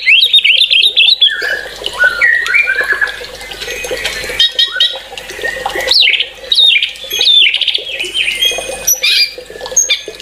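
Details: Energetic white-rumped shama song packed with fast varied whistles, zigzagging trills and rapid high chips, broken by brief pauses, over a low steady hum.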